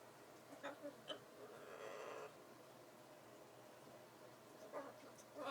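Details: A female pet macaw being playful and silly gives short, hoarse, speech-like squawks and chatter, with a longer raspy burst in between, close and indoors.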